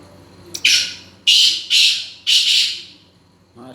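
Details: A male black francolin calling indoors gives four loud, harsh, grating notes in quick succession, each a rasping burst about half a second long, with a faint voice at the end.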